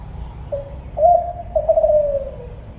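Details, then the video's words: A Kelantan-type spotted dove gives one soft three-part coo: a short low note, then a stronger held note, then a longer note that slides gently downward. A faint low hum sits underneath. "suara burung tekukur kelantan"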